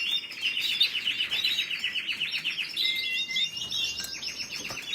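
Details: A canary sings a rapid, evenly pulsed trill that shifts into a clear whistled note, then into quick up-slurred chirps, all high and lively.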